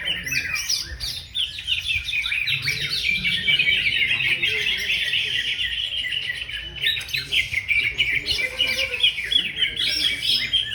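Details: Greater green leafbird singing at a bird-song competition: a dense, continuous stream of rapid chirps, warbles and trills, with several voices overlapping throughout.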